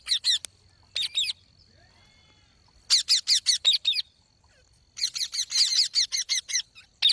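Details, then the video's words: Green parrot, called mitthu or tota, repeating rapid harsh squawks in clustered bursts, a pause in the middle, then a long run of quick screeches toward the end. "Green Parrot Talking Natural Sounds | Mitthu Ki Awaaz | Tote Ki Awaaz"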